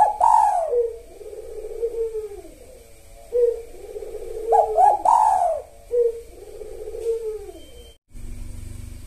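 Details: Spotted dove cooing in the pre-dawn sahur hour: low, hollow coos in repeated phrases, each opening with a higher note and falling into rolling softer coos, with a faint steady electrical hum behind.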